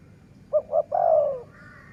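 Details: Dove calling in a Thai dove-calling contest recording: two short hollow coos followed by a longer, drawn-out, slightly falling coo, clear against low background hum.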